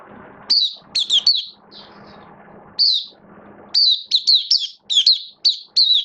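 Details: Hobby oriental white-eye in build-up form, dated 19 September 2022, giving scattered bright, high twitters between quiet stretches with background hum, then a rapid final sequence of repeated warbled notes.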